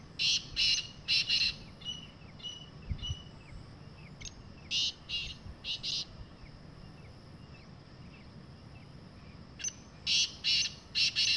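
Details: A wild Black francolin (Francolinus francolinus) calling in the jungle gives harsh, grating phrases of three to five rasping notes, repeated in bursts several seconds apart over a quiet background.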